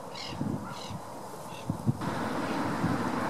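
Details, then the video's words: Black-headed Gulls displaying at Gosforth, one giving three short, harsh, nasal calls about every half second, over steady low wind rumble. "BHGulls Displaying"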